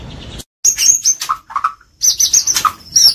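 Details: White-rumped shama singing champion-style 'gacor' material: very high thin whistles mixed with lower mellow notes and bursts of chatter, broken by a brief silence.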